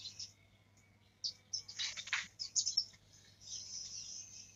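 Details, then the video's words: A young black-throated canary learning to sing, practising in high, thin bursts of twittering and buzzy trills, with a low steady hum underneath. "Blackthroat muda belajar ngerol"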